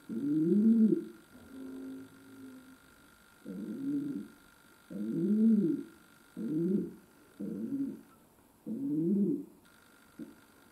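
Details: Pet domestic pigeon cooing in a room: a run of low, throaty, rising and falling coos, some short and clipped, over a constant background hum from the camera.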